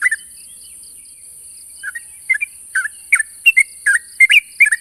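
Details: Sooty-headed bulbul calling to a rival: an opening note, nearly two seconds of quiet, then spaced bubbly two-note chirps growing more frequent, over steady high hiss and soft regular ticking.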